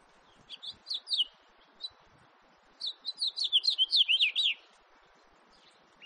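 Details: House finch in 2018 giving a few scattered high chirps, then a lively rolling warble of quick slurred notes lasting nearly two seconds, with a single note at the end.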